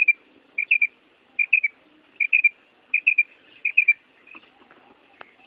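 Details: Calling female quail, a breeding-season call meant to stir males into calling: repeated clusters of three sharp whistled notes at an even pitch, roughly every 0.7 seconds, fading into faint scattered noises at the end.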